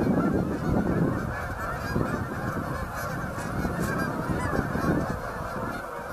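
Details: Large flock of Canada geese, hundreds strong, on Boegel Pond, November 30, 2012: a steady wall of overlapping honks at even loudness throughout, with some stronger low honks standing out early on.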